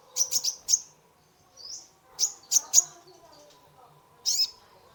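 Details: Lively kolibri ninja sunbird used to prompt a stressed caged bird: quick runs of three or four high chips, a soft rising whistle, then more chip clusters, with a faint murmur of voices below.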